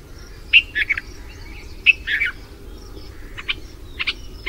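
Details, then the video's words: After the monsoon in India, a Red-vented bulbul gives mate calls: a few sharp chirps and a slurred warbled phrase, then sparser single notes, with a low hum beneath. "Red Vented Bulbul activities and mate calls after mansoon"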